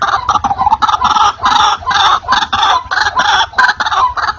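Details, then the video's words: Loud, clear white-breasted waterhen lure recording: harsh, rasping notes bunched into short bursts separated by brief dips, repeated steadily throughout. "Suara asli ruak-ruak||pikat wak-wak"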